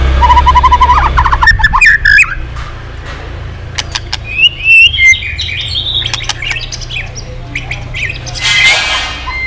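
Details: White-rumped shama that had stopped singing and now sings readily again: a short piping note series, then scattered clicks and a bright cluster of warbled whistles, with a faint rumble of traffic beneath.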